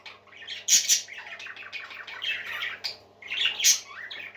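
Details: Several cheerful parakeets squawk and warble indoors, two loud sharp bursts near the start and end, busy chirping between, over a faint hum.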